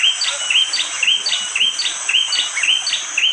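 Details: Sharp, sliding high chirps from a bar-winged prinia, repeated steadily about twice a second without pause, in a forest in the morning at Wonocoyo Village, East Java, Indonesia, with rain hissing throughout; phone recording.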